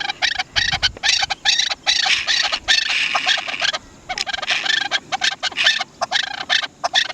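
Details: Dense, excited chattering of the Chukar partridge (Dasi chakor): grating, rasping phrases run together in long loud bouts separated by short pauses.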